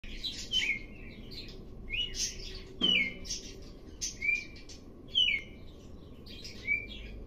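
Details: Red-cowled cardinal whose song starts low and grows louder: short whistled phrases with sliding notes, repeated about every second and a half, over a steady low hum.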